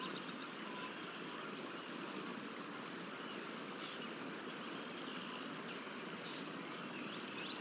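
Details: Steady broadband rushing noise like wind or flowing water fills the whole recording with no clear animal call.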